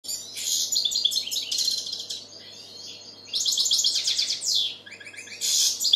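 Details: European goldfinch song, said to attract females and prompt young goldfinches to sing: bursts of fast, liquid, high twittering with buzzy trills, broken by two quieter pauses, over a faint steady low hum.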